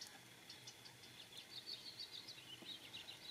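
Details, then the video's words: An immature White-crowned sparrow sings soft, rambling, high chirps and trills that run loosely together for a couple of seconds, over a quiet background hiss. "Immature White-crowned sparrow's song"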